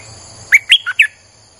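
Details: One quick phrase from a streak-eared bulbul, recorded for luring wild birds: four clear chirps within half a second, third note lowest, with a faint high constant hum behind.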